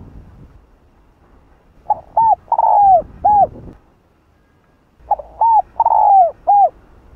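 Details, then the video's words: Spotted dove in the Vietnamese 'Hạp Bổi' voice, cooing to provoke other doves: two phrases about three seconds apart, each with two short hollow coos, a long slurred falling coo, then a short final note, over quiet background. "Cu Gáy Giọng Hạp Bổi [ GÁY GỌI + THÚC + Gù ] Kích Bổi Cay Cú"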